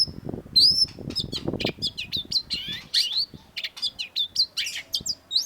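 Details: Long-tailed shrike singing a busy, sharp master song for training cage birds: rapid high whistles, slurred chirps and ticking notes in a continuous varied stream.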